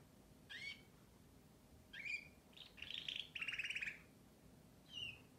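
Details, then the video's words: Canary singing. Separate rising whistled notes lead into a dense, buzzy rattling trill around its middle, then a final short upslurred whistle. A low steady hum sits underneath. "śpiew kanarka"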